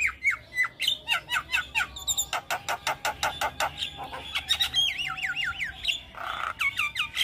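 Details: Javan myna song used as training audio for juvenile mynas: rhythmic pulses of dry clicks mixed with short whistles, then a rapid chain of looping, wavering whistled notes and a rasping note near the end.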